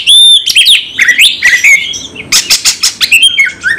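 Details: Oriental magpie-robin, fighting song full of emotion and varied material: opening sustained whistle, then tumbling slurred notes and a rapid series of scratchy, pulsed chatters.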